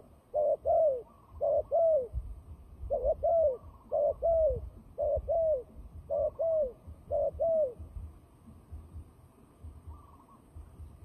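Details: Fighting turtle dove used as a trapping lure, cooing in evenly spaced doubled notes, about seven pairs in a row, soft and husky, then falling quiet, with a low rumble underneath.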